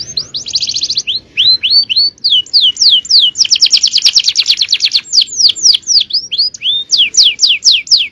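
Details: Male canary singing a long champion-style song used as tutoring song for other canaries: dense buzzy rattling trills alternating with rows of sharp descending whistled notes, fast and loud throughout.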